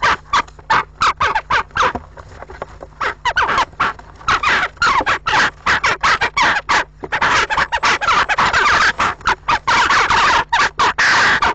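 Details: Western jackdaws fighting at a nest box on an April afternoon as a nesting pair defends its nearly finished nest: a rapid, almost continuous barrage of harsh, clipped 'chak' notes, several each second, with scuffling noises mixed in.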